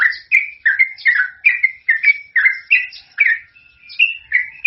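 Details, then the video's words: Sooty-headed bulbul in full, lively song with long phrases, used to lure other birds: rich whistled notes around the mid range, each dipping then rising, delivered in rapid bursts roughly every half second with no other sounds. "suara trucukan gacor ropel panjang cocog untuk pancingan"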